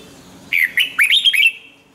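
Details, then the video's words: Song of a Red-whiskered bulbul for song training: one short, loud phrase of about six ringing, slurred whistles that dip and rise, over faint hiss. "chào mào luyện giọng hót hay"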